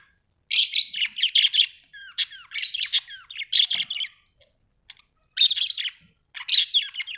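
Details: Australian budgie parrots chirping in bursts of busy, scratchy warbling with short rising and falling squeaks, separated by brief pauses, in a small quiet room.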